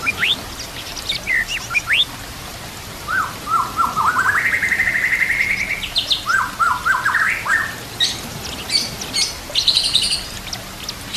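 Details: White-rumped shama song used to train other shamas, over gentle nature sounds and trickling water: short rising whistles, then a long sustained buzzy note, then quick falling notes and a high rattling burst.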